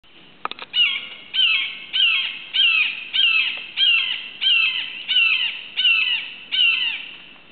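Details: A red-shouldered hawk perched on a twig over a cleared lot near Suwannee River State Park, Florida, in July 2011, calls to its nest-mate: about ten loud, shrill, down-slurred kee-ah screams, one every half second, after brief clicks.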